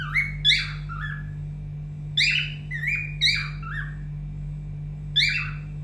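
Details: Pet cockatiel singing indoors, its song said to be muddled from hearing many songs: scattered harsh whistled chirps dropping in pitch, in short clusters, over a continuous low hum.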